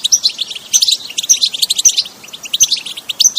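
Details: Enthusiastic btebta song of a European goldfinch, recorded in nature with no effects added: quick tinkling twitters broken by a sharp, piercing high note that returns roughly every half second.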